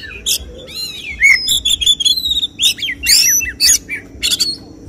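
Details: Contest-singing Oriental magpie-robin delivering 'tembakan' shots: sharp rasping bursts alternating with clear downslurred and looping whistles, varied phrases tumbling in quick succession.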